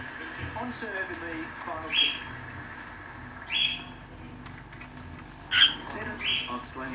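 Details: Pet female Bourke's parakeet chattering quietly indoors, with soft murmuring and several short bright chirps spaced a second or two apart over a low background hum.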